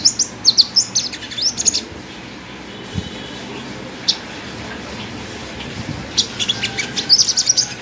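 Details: Caged pet sunbird, locally called five-colour sunbird, singing: bursts of very high, thin, rapid chirps and twittering trills in short clusters at the start and again near the end, with a quiet pause between.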